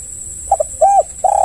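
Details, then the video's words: Spotted dove cooing to draw other doves into calling: a quick pair of soft notes, a drawn-out arching coo, then a sustained flat coo, with a steady high-pitched hum behind. "Pancingan tekukur yg lain pasti ikut bunyi"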